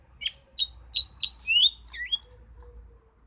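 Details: House finch singing: a run of short, sharp chirped notes repeated about three times a second, ending in two slurred, rising-then-falling warbles; quiet background.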